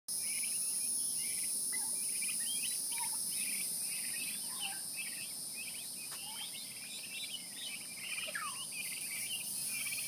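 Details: A flock of happy turkey poults dust-bathing and chirping contentedly: many short, high, often falling peeps overlap continuously over a steady hiss of insects or background noise.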